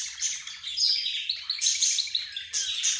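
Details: Chattering of budgerigars, zebra finches and a canary heard as a conversation. Continuous high chirps and whistled notes overlap, with sharp bright bursts of twittering breaking in every second or so.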